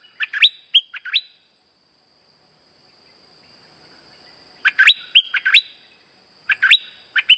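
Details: Streak-eared bulbul trapping lure song: clusters of bright, bubbly chirps in quick phrases, a pause of about three seconds, then two more busy phrases; a faint constant high hum sits underneath.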